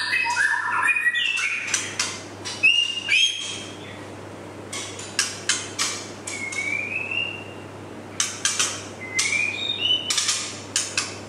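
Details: White-rumped shama, a juvenile male, sings a rich opening flourish, then a run of sharp clicking ticks with occasional rising whistled slurs in between.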